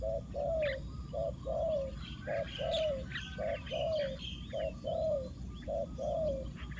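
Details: Spotted dove acting as a lure bird for wild doves. Paired coos come in a steady rhythm, a short note followed by a longer, falling one. Busy chirping of other birds and low background noise.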